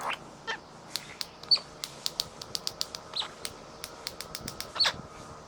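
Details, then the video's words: Male Australian king parrot visiting, showing off and 'dancing' while pecking gum nuts, perhaps asking for food, makes a rapid, irregular run of sharp, dry clicks, about twenty in five seconds, with a couple of brief high chirps. "King Parrot Showing Off Making Funny Clicking Noises And Chatting Away Happily"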